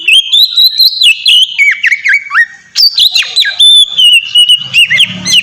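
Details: Relaxed, clear song of an Oriental magpie-robin, used as a lure for captive magpie-robins: continuous loud whistled phrases with rapid up-and-down slurs and sharp clicks, a short dip near three seconds, faint low hum at the end.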